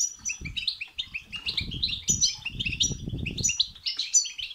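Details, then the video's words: Song of a European goldfinch in the batbata and setsata styles, played to make a goldfinch sing. It is a dense stream of chattering, tinkling notes over repeated low rustling and thumping. "بتبتة وستستة تخرج الحسون عن السيطره..... هيجان خرااافي تسببه هذه البتبتة نار على نار سيغرد حسونك"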